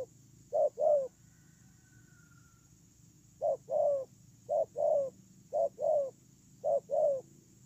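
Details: Decoy spotted dove used on the ground, one short-long coo pair, a pause of about two seconds with a faint whistle-like tone, then four more paired coos at about one per second.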